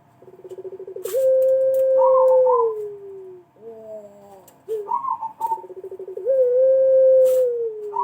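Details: Pelung dove lure recording: rapid pulsed opening notes lead into a drawn-out, clear coo that gently descends, followed by brief wavering and higher warbled notes, with faint clicks between phrases.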